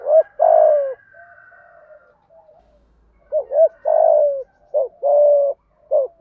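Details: Spotted dove giving a fast, deep-voiced prodding coo meant to stir other doves into cooing: low hollow coo notes, two at first, then after a pause a quicker run of short and drawn-out coos.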